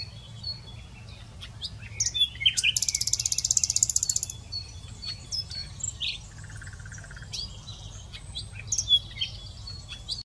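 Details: Common nightingale song with varied phrases: scattered chips and slurred notes, a loud, fast, buzzy pulsed trill lasting about one and a half seconds, then a short run of lower, evenly repeated pure notes and more chirps.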